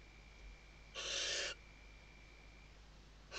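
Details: Hissing half-second screech from a female Western barn owl calling the male as she stuffs the nest on a webcam at Riet Vell reserve, Tarragona, Spain, 2023; another screech begins at the end, over low hum.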